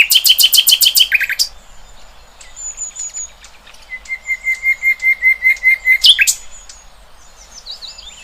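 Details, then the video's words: Birdsong in the wild: a fast series of loud repeated notes for over a second, scattered thin whistles, then a steady run of about a dozen evenly spaced mid-pitched notes before a brief chirpy flourish. "Kicauan Burung Cerminkan Suasana Damai"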